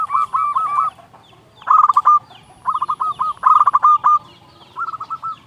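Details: Local zebra dove song used as a lure to stimulate other doves to sing; short bursts of rapid, bubbling cooing notes repeated in phrases about a second apart, with faint background noise.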